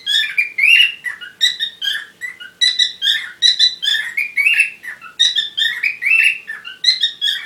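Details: Continuous busy warbling from parrots in courtship: rapid chirps, twittering squeaks and short buzzy notes follow one another without break over several seconds.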